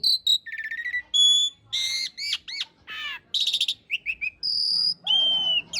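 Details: Asian pied starling singing a master song in the rough-fill, long-roll style for training cage birds: a rapid medley of clear whistles, buzzy trills and sharp chirps, each phrase cut short, in a quiet background.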